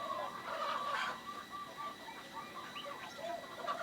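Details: Actively calling local zebra dove with an odd, rare voice: strings of short, soft, low notes pulse steadily at a fast rate, with faint high chirps from other birds.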